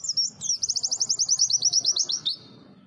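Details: White-eye, a small bird with a fiery voice, delivers one continuous rapid trill of high, bright, evenly repeated notes lasting over two seconds, clear above faint low noise.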